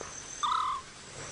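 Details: Scops owl call, apparently played back by a guide on a sunset drive in Djuma Game Reserve, Sabi Sand, South Africa, 30 July 2017: a single short, purring, mid-pitched note under half a second, falling slightly, over faint hiss.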